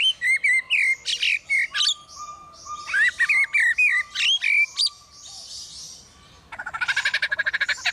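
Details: Captive male Superb Lyrebird imitating construction noise at Adelaide Zoo. Bright repeated chirps and clicking notes in quick rhythmic runs, then a gap and a rapid mechanical pulsing buzz reminiscent of a drill.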